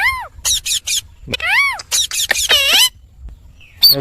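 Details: Pet Indian ringneck parrot giving loud rapid chirps and arched harmonic squawks in quick bursts, followed by a brief quiet spell and a final harsh note.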